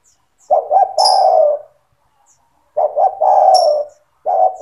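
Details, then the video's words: Spotted dove singing steadily, used to train young doves to join in. Low phrases with a pair of short coos leading into a long coo, repeated twice, with a third starting. Sharp high chirps of smaller birds. "SUARA TEKUKUR GACOR BAGUS UNTUK MELATIH MENTAL TEKUKUR MUDA BIAR IKUT BUNYI MANGGUNG"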